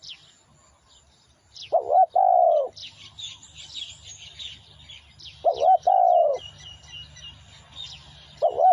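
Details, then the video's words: Lure song of a spotted dove: husky double coos, a quick trill then a longer falling note, heard three times. Busy high twittering of small birds and a low droning hum fill the gaps. "tiếng chim cu gáy mồi"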